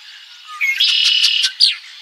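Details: Red-winged blackbird recorded in Ottawa, Ohio, USA, on 8-5-2023; a short introductory note, then a buzzy trilled phrase of rapid repeated strokes lasting about two thirds of a second, ending in a sharp higher slurred note.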